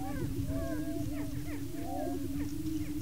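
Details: Several male greater prairie chickens on a Kansas lek in Washington County, displaying and sparring for breeding territory. A continuous low hum underlies busy overlapping cackles and bent whooping notes, with some low rumbling noise.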